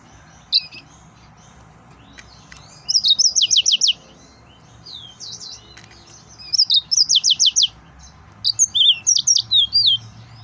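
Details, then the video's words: An excited male yellow-fronted canary sings lively phrases: a sweet whistle, then rapid runs of high trilled notes repeated several times a second, three bursts with short pauses between them. "تغريد مرعب سورا الموزمبيقي"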